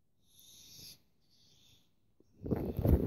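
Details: A barn owl from a pair nesting in a church near Ammanford, calling as it flies from the church, gives two harsh, hissing screeches, each under a second, followed by a loud burst of wind rumble.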